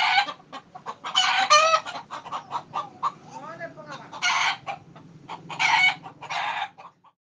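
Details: Frightened roosters in a series of raucous, noisy squawks and clucks. The bursts are uneven, some long and some clipped, and end in a short silence.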